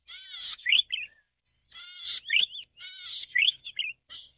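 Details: Cisticola exilis volitans, the golden-headed cisticola, gives three insect-like buzzes roughly a second apart, each finished with a bright rising twangy note and a short trailing chip.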